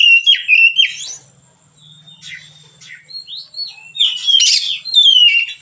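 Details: Relaxed white-rumped shama song used as a teaching recording: sharp whistled chirps and downslurred notes, a quieter stretch with a low hum, then a loud harsh burst and long whistle.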